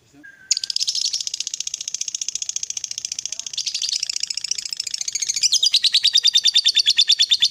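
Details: Long 'ngekek panjang' from a champion fighter lovebird, used to get a lazy lovebird to answer: after a faint note, a sustained rapid buzzy chattering trill lasting about seven seconds, turning into louder, slower pulses at the end.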